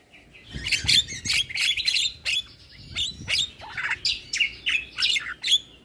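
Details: Javan myna lure song, full of fill-ins, played to make other mynas answer: a continuous stream of harsh, chattering and squeaky notes repeated in quick succession.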